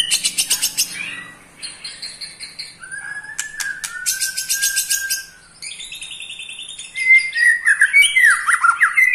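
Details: Caged eight-month-old pastol male white-rumped shama giving a provoking trill: rapid rattling pulses, a long level whistle, then more buzzy rattles ending in loud, fast descending whistled notes.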